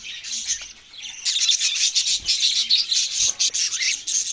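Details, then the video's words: Budgerigars twittering: a softer start, then loud, rapid, high chirps and warbles tumbling together, over a faint low hum. "parrot sounds and chirping sounds"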